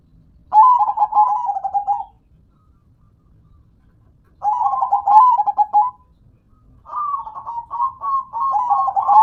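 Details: Zebra dove of local stock singing three rhythmic trilled cooing phrases, each around one to two seconds with gaps of a few seconds, the final phrase longer and slightly higher; no other clear sounds.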